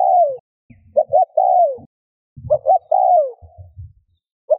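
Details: Spotted dove cooing to stir other doves into cooing: mid-pitched phrases of two quick short notes and a long falling coo, with scattered low thuds and rumbles between phrases.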